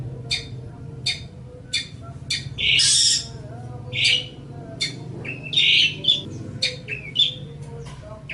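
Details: A long-tailed shrike on a master recording for training birds mixes short sharp chips with loud, grating squawks and brief whistled slides in an uneven pattern, over a constant low hum.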